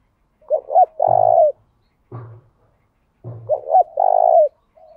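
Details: Spotted dove used as a lure bird to provoke other doves to sing and return, calling twice: each phrase a quick double coo then a long throbbing hoot, with low thumps between phrases.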